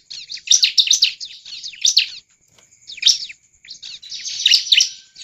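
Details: Bar-winged prinia in full, persistent song meant to provoke other prinias into singing: dense bursts of shrill, buzzy chirps in three main clusters split by short silences.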